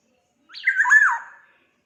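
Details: Sumbawa black-naped oriole giving one hoarse note, about a second long, that starts with an upward flick, bends through a brief more tonal whistled middle and drops away at the end, with silence around it.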